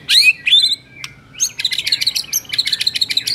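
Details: White-rumped shama in the morning giving two sharp upslurred whistles, then a quick series of high, buzzy chattering notes.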